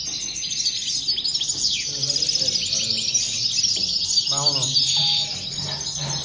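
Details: Several European goldfinches give a lively high twittering song of quick chirps and slurred whistles, with a brief low harmonic sound and steady low hum beneath.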